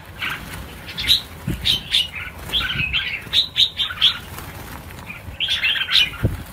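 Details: Released red-whiskered bulbuls, 1000 birds let go together, chatter in quick rhythmic bursts of high chirps roughly every half second, with wing flaps thudding underneath.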